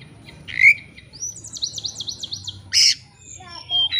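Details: Oriental magpie-robin lure song for provoking a rival: a harsh note, then a quick series of about eight sharp descending whistled notes, a loud rasp and thin high whistles, with steady low background noise.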